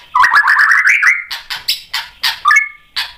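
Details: White-rumped shama singing as a provoking lure: a fast rattling run of notes climbing steadily in pitch, followed by sharp buzzy notes repeated roughly every half second with a brief bright whistle.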